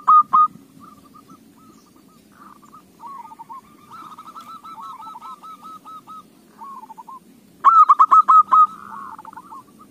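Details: Zebra dove song played as a lure to encourage other doves to sing: quiet rippling coo phrases from more than one bird, then a loud rapid series of clipped cooing notes near the end.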